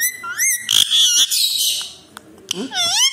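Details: A talking pet Alexandrine parakeet gives harsh, raspy, speech-like phrases mixed with bright rising and falling whistles, in a small indoor room.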